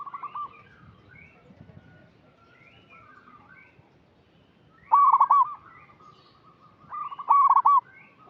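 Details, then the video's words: Active local zebra dove giving a lure call to coax untrained doves: soft coos early on, then two loud, rapid, stuttered coo phrases about two and a half seconds apart. "Perkutut lokal gacor suara cocok untuk pancingan yang masih bahan"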